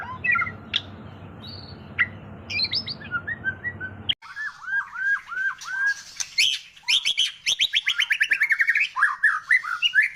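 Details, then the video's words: White-rumped shama song meant to trigger singing in other birds: scattered whistles over a low hum, then, after an abrupt cut, a clean stretch of arched repeated notes and a fast rattling trill. "Pancingan murai batu gacor 🔥 Burung auto bunyi"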